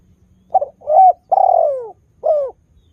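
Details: Spotted dove used as a caller to make other doves answer, giving one clear phrase: a quick double coo, a rising coo, a long, slowly falling coo, then a brief closing coo.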